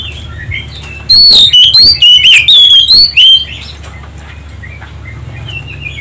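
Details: Oriental magpie-robin song meant to provoke other birds into singing: a loud run of quick, bright whistled phrases with sharp rising and falling notes for about two seconds, then faint twittering over a constant low hum.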